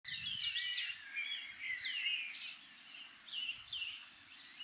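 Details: Several shining cuckoos calling to each other from a tree in the Maungakotukutuku Valley, New Zealand, in summer; high, overlapping whistled notes slurring downward, given in irregular bursts against soft low background noise.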